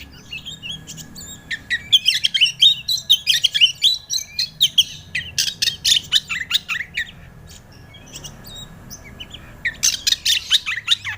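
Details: Lure song of a white-rumped shama to provoke a young bird into singing: rapid bursts of harsh chattering and whistled notes, a quiet gap, then a fresh loud burst.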